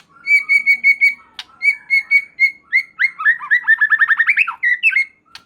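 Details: White-rumped shama song, played to trigger responses from other shamas. A clear whistled note is repeated evenly about six times. After a pause it speeds into a rapid rolling trill of slurred notes.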